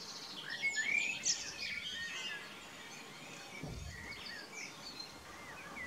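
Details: Common blackbird singing on the evening of 11 May 2018 in spring, perched on a house roof and an old telephone pole, recorded with a Nikon P900. Fluting, warbled phrases with twittering high notes fade into quieter, scattered song amid background noise.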